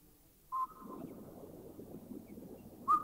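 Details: Indian cuckoo recorded in a Thai national park (Khao Yai, Doi Intanon, Doi Suthep-Pui or Chae Son): two brief, clear whistled notes at mid pitch, about two and a half seconds apart, over a faint murmur of background noise.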